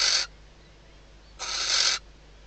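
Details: Barn owl female in a nest box in the Ebro Delta, Spain, calling at night as the male arrives, days before her first chick hatches. Two harsh hisses: a short one, then a longer one after a second's pause.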